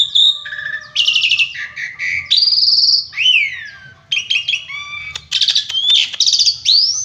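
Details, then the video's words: Richly varied Asian pied starling song with many fill-in phrases. Sharp whistled notes alternate with down-slurred calls, grating buzzy bursts and high trilled strings, delivered in rapid, uneven succession with hardly a pause. A low background hum is present. "Burung Jalak Suren Gacor isian Mewah full Tembakan"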